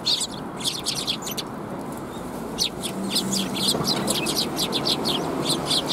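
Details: Sparrows recorded at a Tenmangu shrine on 9 December 2021 keep up a fast stream of short, high twittering chirps over a constant broad background rumble.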